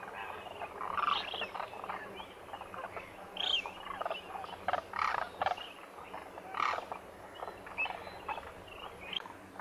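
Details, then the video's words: A large winter flock of Koonj, or Demoiselle cranes, at a lake by Khichan village in the Thar Desert, Rajasthan, India. The birds are fed there each morning. Harsh, rolling croaks overlap in irregular bursts, with some louder calls rising above the murmuring flock. "DEMOISELLE CRANES of KHICHAN at the lake in THAR Desert | RAJASTHAN 🇮🇳 INDIA | BIRD sounds | KOONJ"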